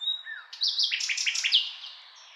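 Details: Common nightingale phrase: a thin steady whistle and a low slur, then a rapid series of about eight loud, evenly spaced notes that fade toward the end.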